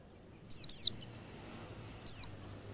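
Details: High, piercing downslurred whistles of a white-eye, used as a lure so birds start singing quickly: two close notes, then a single one about 1.5 seconds later, with a faint low hum.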